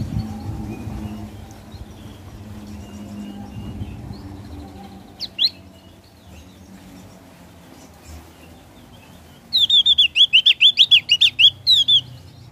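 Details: Javan grey-throated white-eye, ngeplong song style: after a quiet stretch, one short sharp chirp, then a fast burst of a dozen clear, high repeated notes near the end.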